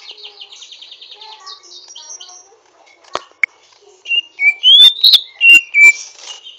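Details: Greater green leafbird (Chloropsis sonnerati) in rough, learning twitter: a soft fast buzzy trill first, then a few clicks, then a loud series of rising and falling whistled slurs.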